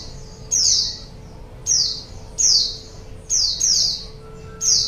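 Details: Wild-bird lure recording of a white-eye: bright, very high descending chirps spaced irregularly, some doubled, over a quiet steady hum.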